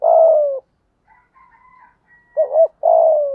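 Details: Spotted dove used as a lure bird, cooing in 'thúc gù' style with a 'thổ' voice. A long husky coo slides downward, then faint high notes, then a quick two-note hiccup and another long falling coo.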